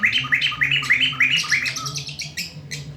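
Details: Loud black-throated laughingthrush singing at midday: quick rising chirps repeated in a tight run, then sharper higher notes that fade toward the end, with a low background hum throughout.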